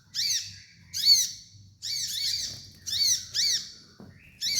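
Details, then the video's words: Harsh, squawky phrases from a kolibri ninja sunbird, made of stacked arching high squeaks and lower looping notes, repeated in bursts with short gaps. A faint low hum sits beneath. Serves as a training master. "MASTERAN KOLIBRI NINJA DAN TERAPI KONIN BAHAN"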